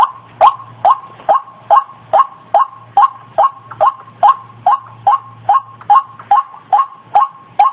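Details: White-breasted waterhen, used to lure the opposite sex: about nineteen strong, grating croaks at a steady pace of a little over two per second, with a faint low hum in the gaps.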